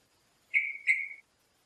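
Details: A male Yellow-vented Bulbul, one of a pair feeding on ripe fruit in a forest canopy, sings from the leaves: a brief phrase of two bright, slurred whistles, each sliding slightly downward, against a quiet background.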